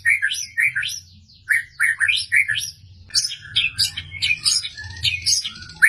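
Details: White-rumped shama from Medan in insistent full song with sharp 'tembakan' shots: quick rising and falling whistled notes in rapid runs, turning into busier high chattering phrases in the second half.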